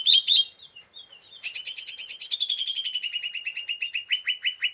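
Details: Excited lesser green leafbird in ngeriwik chatter used to stir up other birds: two sharp notes, a brief lull, then a loud, rapid rattling series that slows into evenly spaced harsh chips.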